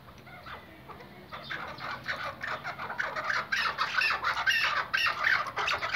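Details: A hunting chukar partridge (Iraqi white type, kept for hunting) gives rapid, harsh chattering calls that build in loudness and speed, several notes a second, over a faint background hiss.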